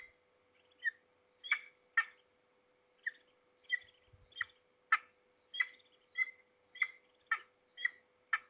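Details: Peregrine falcon, Trzebież Forest District in Poland, 6 September 2022, making a morning racket: spaced harsh chip-like calls, some doubled, roughly every half second to second, over a faint constant hum.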